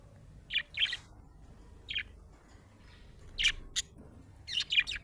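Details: A happy budgie chirps in short, bright, high-pitched notes, singly and in quick pairs, spaced irregularly over a few seconds against a quiet background.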